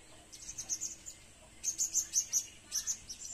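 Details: Faint, high, tinny chirps from a serindit lure bird, given in two short rhythmic groups of quick squeaky notes separated by a brief pause.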